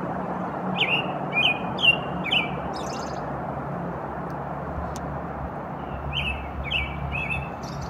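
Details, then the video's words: American robin song: short whistled phrases that rise and fall, given in a cluster early on and again near the end, over a steady low rumble like distant traffic. "Song of American Robin"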